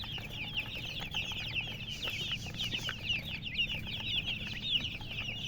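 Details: Hen's chicks peep continuously, bright high cheeps densely overlapping, fairly close and clear above a quiet low background.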